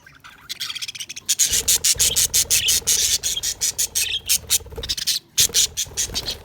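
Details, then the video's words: Budgerigars chatter in a fast, steady series of clipped, harsh, high chirps, about three per second, with one brief pause near the end. "Budgies Sounds| Budgies Chirping sound"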